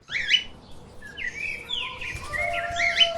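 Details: Lovebirds playing and chirping: quick squeaky chirps and sliding, buzzy whistles that rise and fall, over a constant low background hiss.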